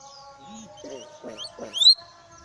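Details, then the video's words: Common hill myna chattering and mimicking human speech: a few short voice-like syllables, then rising whistled notes ending in one loud, sharp upward whistle, over a steady low hum. "Celoteh Burung Beo"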